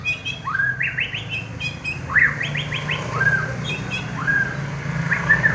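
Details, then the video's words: A champion competition white-rumped shama repeats rising whistled phrases, each a quick series of upward-slurred notes, roughly once a second. Higher faint notes and a steady low background hum are also present. "BURUNG MUARAI JUARA"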